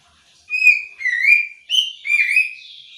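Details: Female Oriental magpie-robin giving the ngobra call, used as a lure to make any male start calling too: four drawn-out, slurred whistled notes, each wavering up and down, spaced about half a second apart.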